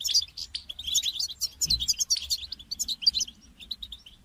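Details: Calls of a European goldfinch, used to prompt a caged bird into song: a continuous, lively stream of high twittering and liquid chirps for about three seconds, with a soft low thump near the middle.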